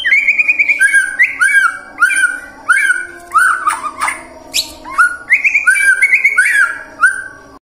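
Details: White-rumped shama song meant to get other birds singing through morning, midday and afternoon: rapid varied whistled phrases with rising and falling slurs, repeated in quick bursts, with a short harsh rasp midway.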